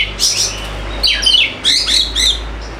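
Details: Short burst of Oriental magpie-robin song for coaxing quiet kacer: a high whistled phrase, then harsh scratchy downslurs and chattering notes, with a low steady hum beneath.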